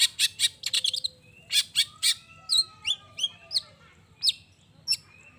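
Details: Long-tailed shrike in energetic song, dense harsh bursts at first, then a string of sharp rising chirps, sung to provoke other shrikes into answering; thin background whistles.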